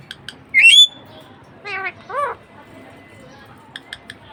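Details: Budgie parakeet kept as a pet: one loud upswept whistle followed by two short bursts of falling stacked notes, then faint ticking sounds.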